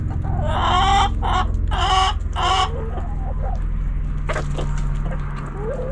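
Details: Backyard hens clucking: three loud, broad, raspy calls about a second apart, then quieter short clucks and a faint rising note over low steady background noise.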